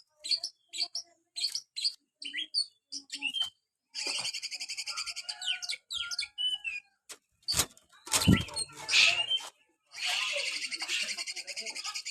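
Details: White-rumped shama kept as a cage bird, delivering short chirped notes at first, then long harsh buzzy rattling phrases mixed with whistles, and a loud knock partway through.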